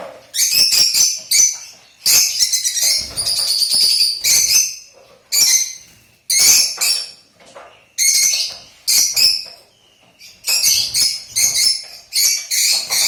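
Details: Lutino lovebird kept as a pet, giving piercing raspy screeches and chattering squawks in clustered bursts, some runs lasting over a second, separated by short pauses, with occasional lighter chirps between them.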